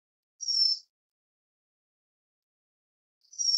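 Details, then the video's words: White-crowned forktail, Enicurus leschenaulti: a thin, very high, drawn-out whistled note, then silence, and the same shrill note begins again about three seconds later. "白額燕尾(白冠燕尾)/White-crowned Forktail"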